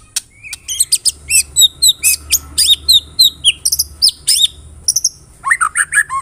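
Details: White-rumped shama pancingan lure song meant to trigger shamas to respond: a rapid series of sharp, high chipping and ringing notes, several per second, ending in lower, fluty, warbled phrases.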